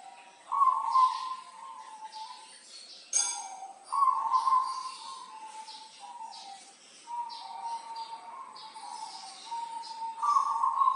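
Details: Local zebra dove from Tulungagung singing actively, kept as a tutor bird: mellow cooing phrases repeated in bursts of one to two seconds, with short pauses and a sharp click between them, and faint chirps of other birds behind.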